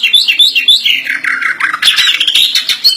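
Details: Greater green leafbird, kept bird, in full varied song: rapid chattering and warbling phrases sliding between mid and high pitch, continuous with dense overlapping notes throughout.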